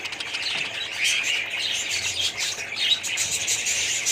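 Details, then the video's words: Budgerigars calling as a colony: a constant, busy chorus of high chirps, trills and warbling chatter from numerous birds, with some fluttering, dense and loud from start to end. "budgies parrots colony"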